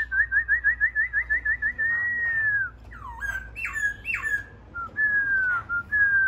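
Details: Newly wild-caught laughingthrush opens with a quick run of about twelve repeated rising whistled notes, then a long arched whistle, sharp swooping notes and steady level whistles.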